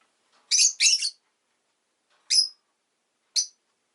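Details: A pet rosy-faced lovebird chirps, with a fast harsh double note followed by two short separate calls spaced about a second apart, against silence.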